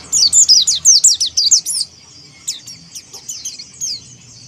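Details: Oriental white-eye of the Monty type singing in the ngalas style to challenge rivals: a fast burst of high, thin, sharply slurred chirps, then sparser, softer high notes with brief gaps.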